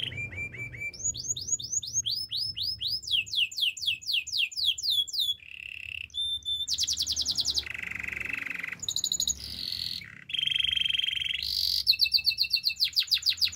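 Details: Varied canary song: a low trill, then rising and falling whistled sweeps in rapid series, rattling rolls, sustained buzzy trills and fast high chips, changing tour every second or two.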